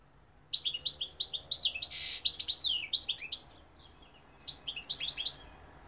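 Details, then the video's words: Goldfinch (Algerian mqnin) singing a lively run of high, rapid, tinkling twitters and slurred notes, with a brief rasping buzz in the middle and a second shorter twittering phrase after a pause. "goldfinch p throat sign 2021 مقنين الحسون"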